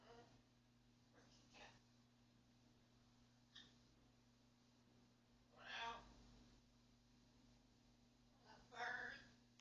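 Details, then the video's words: Talking pet macaw speaks short, voice-like phrases ("pretty bird", "where's the kitty cat", "hello bird") while looking for the cat, in a harsh, raspy tone, spaced several seconds apart, over steady indoor electrical hum. "Talking Macaw Chloe says pretty bird, wheres the kitty cat , and hello bird."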